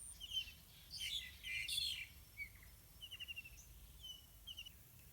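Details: Yellow-vented bulbul parents tending two hungry chicks in a pineapple garden; scratchy, harsh chirp bursts near the start, then a run of quick, evenly spaced short chirps.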